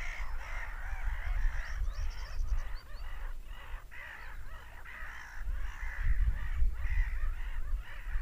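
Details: Seagulls screaming in rhythmic bursts close to two per second, harsh cries blending into a pulsing chorus, with a short high trill early on and steady low rumble.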